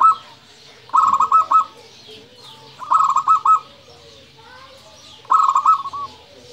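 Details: Local zebra dove (perkutut) singing in the 'nembak' style: three loud trilled cooing phrases, each a rapid run of bubbling notes lasting about half a second. Phrases repeat roughly every two seconds over quiet background.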